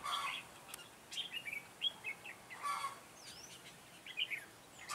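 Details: Red-whiskered bulbul acting as a trap decoy to draw in wild birds, 9 June 2017. Short scattered chirps and warbled notes come in quick clusters over soft background hiss and occasional clicks.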